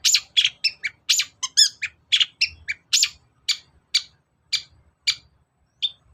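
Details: Lure recording of a long-tailed shrike to coax a lazy bird into song: a dense run of harsh scratchy notes and brief rippling whistles, slowing to single rasping calls spaced roughly half a second apart.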